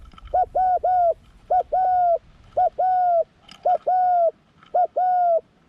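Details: Spotted dove, young and on its first forest training outing, sings a steady series of five phrases. Each is two short hollow coos and a longer falling coo, evenly spaced roughly once a second.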